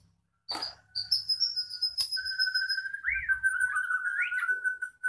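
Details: Moulting caged blorok white-rumped shama in lively song: a sharp burst, a thin high note, then a long sustained whistle held steady for several seconds with wavering upward flicks and twisting loops near the end.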